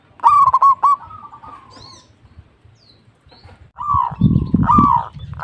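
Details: A local zebra dove sings a quick stuttering series of low coos and then a drawn-out trill. Later, softer cooing phrases come over a deep rumbling, thumping noise, possibly wing flaps.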